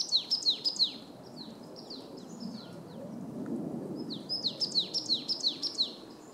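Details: Marsh tit singing: two bursts of about six clear notes, each sweeping sharply down from high to mid pitch, delivered quickly. A quiet gap separates the bursts. Soft low rumble of background noise throughout.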